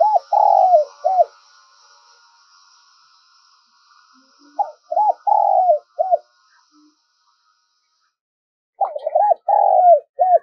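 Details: Lure spotted dove calling to provoke wild doves, giving three low hollow coo phrases spaced roughly four seconds apart, each ending in a short separate coo; a thin high hiss fades in the background early on.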